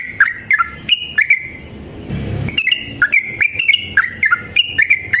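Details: Fighting song of a yellow-vented bulbul, long and used to prompt other bulbuls to sing; bright whistled phrases with clicky onsets, interrupted briefly by a burst of low noise, then resuming in a rapid chirping string.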